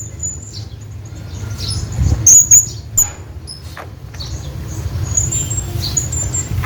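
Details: A hanging parrot calls its friend with a few sharp, piercing, high-pitched squeaks clustered around two to three seconds. Fainter thin whistles trail off later over a constant low background hum.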